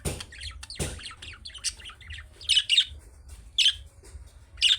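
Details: Budgerigar chicks calling in chirping style to draw replies from other budgies: busy, scratchy chatter of high notes with several louder squawky chirps spaced unevenly, over a quiet low hum.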